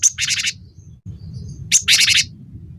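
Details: Cinereous tit from a tutor recording for kept songbirds: two harsh, buzzy chattering rattles, each opened by a thin high note, with a low steady rumble in the background.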